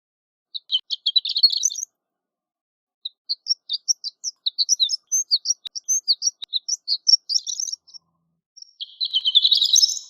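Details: Horned lark singing continuously: a quick tinkling burst, then a long series of separate high, sweet notes scattered at varying pitches, and finally a dense, buzzy, rising twitter; nothing else audible.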